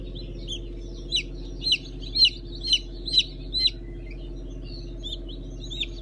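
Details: Newly hatched chicks of Brahma, Fizan and Habeş breeds, 15 June 2019; a run of about seven loud, sharp peeps roughly every half second, then softer scattered cheeps, over a humming background.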